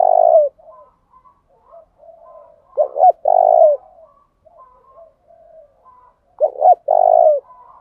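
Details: Decoy spotted dove calling to entice and challenge wild doves. A long coo opens, then two phrases of a quick double note and a steady low coo, with soft distant coos scattered between them.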